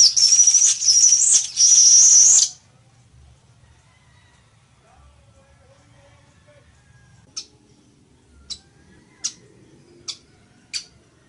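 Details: Village weaver song opens with two bursts of loud, harsh, sizzling buzz with a thin whistle inside. After a pause come five sharp, high clicks spaced about a second apart.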